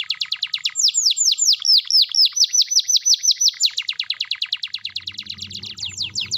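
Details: Canary in full song, played to prompt silent canaries to answer: a long, rapid series of repeated downward-sweeping whistled notes, about eight per second, changing tempo midway, with faint low background noise toward the end.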